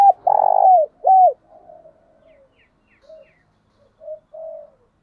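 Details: Decoy spotted dove cooing to provoke wild doves into fighting. Two loud, low, hollow coos come in quick succession in the first second and a half, then softer, trailing coo notes fade out against a quiet background.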